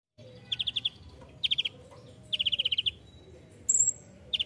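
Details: Ninja hummingbird in lively, varied song used as a master recording for training songbirds: bursts of rapid, evenly repeated high ticking notes, pauses between phrases, then a sharp very high whistled note over steady low background hiss.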